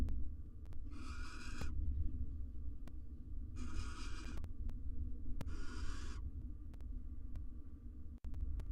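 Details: Courting pair of wild barn owls, male and female, next to four nestlings in a research nest box; three raspy, drawn-out hissing screeches at uneven intervals, with a steady low hum and faint clicks.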